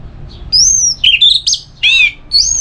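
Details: Ngeplong-style song of an orange-headed thrush, used to rouse a listless bird: a high clear whistle, then rapid varied warbled and buzzy notes, a harsh ringing rasp, and another high whistle.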